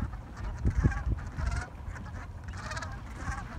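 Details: Gulls calling to one another before sunrise in New England during a morning gathering. Scattered hoarse squawks, then a denser run of harsh, stacked cries in the second half. A few low thumps and steady rumbling sit underneath.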